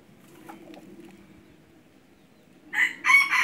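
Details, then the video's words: Red junglefowl decoy bird for hunting, with quiet murmuring background before a loud, hoarse crow bursts in over the last second in two rough segments. "ไก่ต่อไก่ป่า-qaib dib qaib qus"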